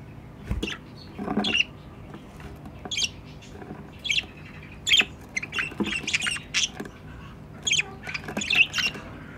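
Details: Captive budgies beside their nest box give irregular, harsh squawks and chirps roughly every few seconds across the stretch, some notes raspy and broad, with faint background hum.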